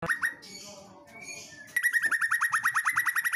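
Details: Song of a female white-rumped shama: a few scattered clicks and soft notes, then a fast, steady run of about twenty-five short, bright whistled notes, each with a quick upward flick, repeated several times a second.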